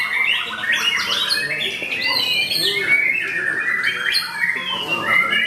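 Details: Contest-singing white-rumped shama in an aggressive fighting style, pouring out fast varied whistles, slurred notes and high rising sweeps, with other birds and human voices audible underneath.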